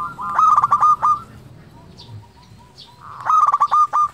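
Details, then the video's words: Zebra dove of local stock singing actively as a lure for silent doves: two loud stuttering cooing phrases of rapid short notes separated by a quiet gap with faint soft calls and distant chirps. "Perkutut lokal gacor pancingan untuk perkutut malas bunyi"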